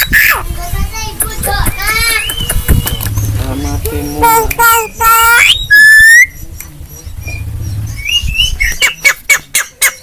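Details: Javan myna, a talking bird, singing a training song: a varied run of wavering whistles, rapid sweeping notes and scratchy phrases, ending in a series of sharp clicks repeated about every half second.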